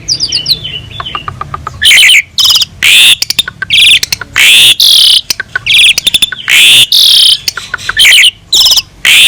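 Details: Asian pied starling (jalak suren) in full song, a master recording for training other songbirds: soft rapid clicking notes, then loud harsh, buzzy bursts mixed with whistled phrases, repeated in quick succession with short gaps.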